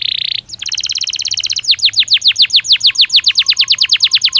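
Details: Belgian canary song used as a training stimulus to make canaries respond and sing: a brief buzzy note, then a fast even trill, then a long series of clear descending sweeps repeated a little over twice a second.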